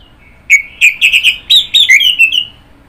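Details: Orange-headed thrush in full song, a rapid run of about ten bright whistled and chirped notes in close succession, slightly rising then falling, loud and clear against a quiet background.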